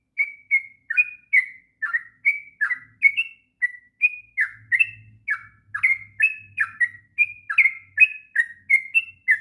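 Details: Long rolling song of a sooty-headed bulbul for training young birds, a lively series of bright whistles stepping between higher and lower pitches, roughly two to three notes a second, with a faint low hum partway through.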